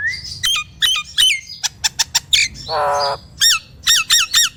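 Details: Nias hill myna song played to prompt silent mynas: bright falling whistles, sharp clicks, a long harsh nasal buzz near the middle, then a series of loud descending whistled notes.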